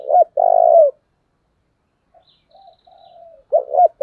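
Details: Spotted dove serving as a decoy for wild birds, finishing a long throbbing coo, then quiet soft murmurs before starting another phrase of two quick coos.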